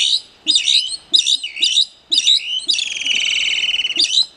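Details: Plumbeous Rail calling at full voice: loud, harsh squealing bursts in short groups, followed by a long rattling, pulsed squeal near the end, with no other sounds.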